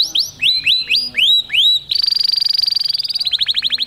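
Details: Male domestic canary performing Taghreed song for females: a series of rising, looping whistled notes repeated about every third of a second, followed by a sustained buzzy trill and a quick rattle of descending chips.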